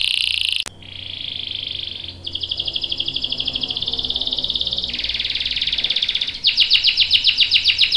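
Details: Canary with a long roll, used to train young and adult canaries: sustained buzzy trills held for several seconds each, shifting pitch between sections, the last one louder and more pulsed.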